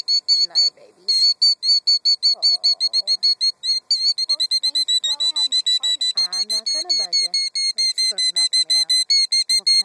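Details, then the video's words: Female killdeer guarding her two eggs in a gravel nest, feigning injury to lure an intruder away; an unbroken run of shrill, sharp high notes about five per second while a woman speaks gently to her. "Bird vs. Car and Bird Wins!"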